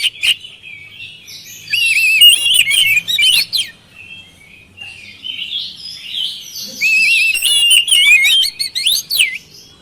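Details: Oriental magpie-robin lure song: quick strings of looping whistles and chirps in two main bursts, with softer warbling between them.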